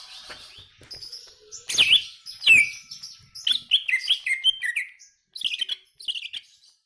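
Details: Greater green leafbird singing a fast, varied run of sharp chirps, sweeping whistled slurs and short buzzy trills, with brief pauses between bursts and no other clear sounds.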